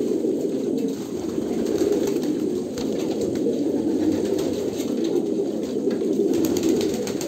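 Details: Steady, overlapping low coos from a group of Kolkata pigeons, rising and falling slightly in loudness without any pause.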